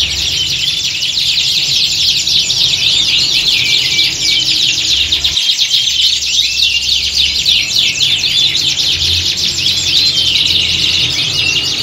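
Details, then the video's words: Many canaries singing at once in a mock contest atmosphere, meant as training for competition birds. Thick, unbroken mass of high chattering trills and buzzes, with brief rising whistles, over a quiet low hum. "Kicauan Squad Kenari Siap Gantang!"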